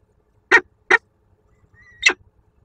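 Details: Peregrine falcon at the Kruszwica sugar factory nest, Poland, feeding its single chick for the third time that day. Three short, harsh, grating calls: two in quick succession, then a third after a brief thin whistled note.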